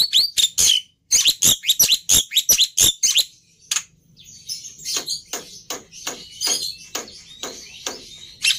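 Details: Black-winged myna producing a quick string of sharp chirps, then softer, scattered notes and clicks over a low background rumble.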